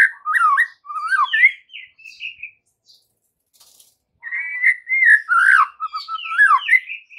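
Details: White-rumped shama lure recording for the afternoon, intended to make trotol and pastol birds answer loudly; swooping, slurred whistles in a lively phrase, a faint pause with soft notes, then a long varied warbling stretch.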